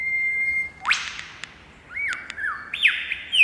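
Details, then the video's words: Shy wild lyrebird singing on a branch in cool temperate rainforest in Australia, early morning. Loud, clear, pure whistles, steady held tones, downward-swooping notes and sharp clicks alternate in a varied, ringing sequence. "Lyrebird sings on a branch in cool temperate rainforest (Птица Лира поёт в прохладном дождевом лесу)"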